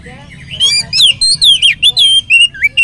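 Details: Oriental magpie-robin singing vigorously as a lure for other magpie-robins; a brisk run of about ten loud, bright whistles, each bending up or down, delivered almost without pause.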